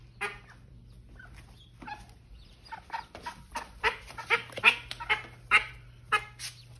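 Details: Mother call duck with her new ducklings, giving a loose series of harsh, broad quacks that grow louder and closer together toward the end, roughly one per second, in a quiet indoor setting.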